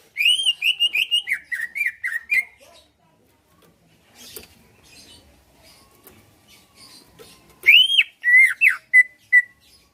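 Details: Greater green leafbird kept caged in Pasuruan, Indonesia, singing to provoke rivals into replying and fighting; two bursts of loud whistled slurred notes, one rising sharply, separated by a few seconds of faint rustling.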